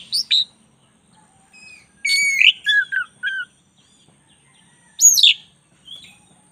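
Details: Black-breasted oriental magpie-robin singing energetically in a tutor recording. Scattered whistled phrases: a bright upslurred note, then a cluster of clear falling whistles, a long pause, and a sharp high downslurred note ending in a soft trill.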